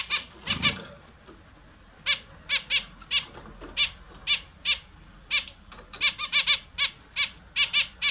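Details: Australian zebra finches kept as pets calling at their morning bath: brief nasal beeps, spaced at first then in rapid clusters, after an opening burst of splashing.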